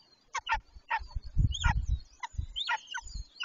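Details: Golden eagles on the nest during mating, 26 March 2023, from a live nest camera: rapid thin, high yelping notes repeat throughout, some sliding downward, over low thuds and shuffling on the nest.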